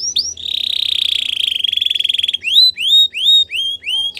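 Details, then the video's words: Belgian canary sings for training: a long even buzzing trill lasting two seconds, followed by a series of loud, clear upswept whistles spaced about half a second apart. "The best canary training | Belgian canary"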